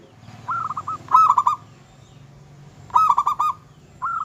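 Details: Local zebra dove in vigorous song, said to provoke rivals and raise their mating drive: short bursts of staccato, stuttering coos, three to five quick notes per phrase, separated by pauses, with faint low background hum.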